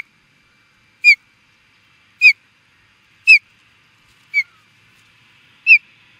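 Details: Osprey calling at an intruder in Charlo, Montana, USA: five clear, piercing whistled chirps, each short and slightly falling, given roughly once a second in an even series against a quiet background.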